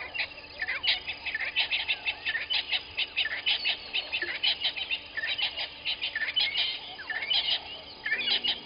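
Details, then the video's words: Southern masked weavers at their nests by Gowrie dam waterhole, Djuma Game Reserve, Sabi Sand Wildtuin, South Africa, 06:35 on 01/11/21; dense, buzzy, sputtering chatter in rapid bursts about once a second, other birds faint behind. "Southern Masked Weavers and nests"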